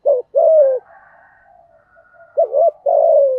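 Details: Lure spotted dove, thổ thúc gù voice, calling to provoke wild doves: two-part hollow coo, then a pause with faint low murmur, then a double-peaked note and a long descending coo.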